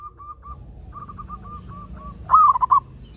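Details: Local zebra dove song meant to prompt other zebra doves: a series of soft, short evenly spaced coos, then one loud rolling, bubbling phrase near the end.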